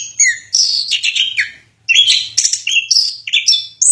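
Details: Orange-headed thrush (anis kembang) in long-duration song from Indonesia: clear, varied whistled phrases, rising and falling, with sweet high notes and brief trills in a short pause-broken run.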